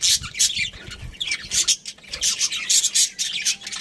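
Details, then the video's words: Budgerigars from a breeding pair producing high scratchy chirps and squawky chatter in uneven bursts, with some faint low thumps underneath. "Cute Budgies Chirping Sounds"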